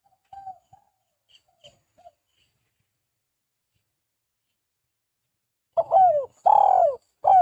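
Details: Dove lure recording: a few faint scattered soft notes, then after a quiet spell three loud, hollow, downward-sliding coos close together.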